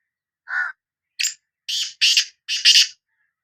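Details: Black francolin from Sindh giving a call: a single lower, clearer note followed by four loud, harsh, rasping notes in quick succession, rising in intensity, with a clean quiet background.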